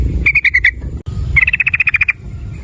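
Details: ['Lure recording of a sooty-headed bulbul in ropel style, meant to make other bulbuls sing: a short burst of five bright notes, a brief break, then a longer fast run of about twelve evenly spaced chattering notes.']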